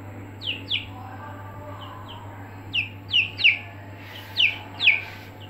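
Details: Young Aseel chicks kept in a brooder give a scattered series of about a dozen high, falling peeps, some soft and some louder, against a constant low mechanical hum.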